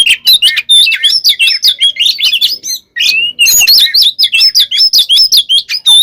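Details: Oriental magpie-robin fighting song used as bait to provoke other birds: a dense, rapid stream of varied whistles, chirps and harsh buzzy notes, mostly high-pitched, with a brief pause near three seconds.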